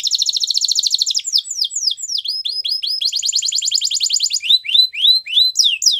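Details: Belgian canary performing a training song, a rolling high trill, then a string of downward-slurred whistled notes, a second rapid trill and more swooping notes, all bright and quick.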